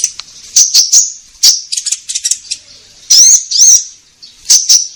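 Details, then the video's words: Konin in energetic song, played to get caged birds answering: short sharp notes and a stuttering chatter, then two bright, buzzy upslurred phrases, followed by further clipped notes. "Pancingan Konin Gacor Langsung Nyaut"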